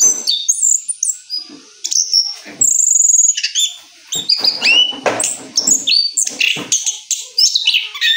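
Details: Rolling song of an orange-headed thrush following moult, a dense stream of high whistles, sweeps and buzzy notes mixed with clicky rasping bursts, barely pausing.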